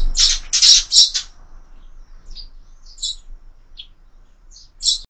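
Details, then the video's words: A sparrow at a feeder on a window gives three loud rasping chirps in quick succession, followed by quiet, spaced single tweets. "Воробьи в кормушке"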